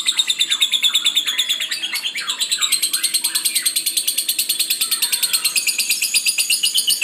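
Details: Lovebird singing hard: rapid shrill chirps pulsing about three per second, a steady high chatter with a few lower squeaky notes underneath.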